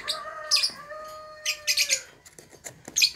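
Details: Young lovebirds in the ngekek singing style, used as a lure to set silent lovebirds singing: harsh high chirps in quick bursts over a pair of steady whistled tones, ending in scattered clicks.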